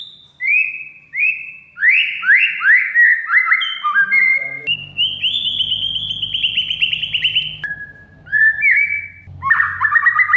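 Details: Oriental magpie-robin in rich, competition-style song used as a lure: rapid rising whistles and buzzy sweeps, a long trilled rattle in the middle, then lower slurred notes and a final chattering phrase.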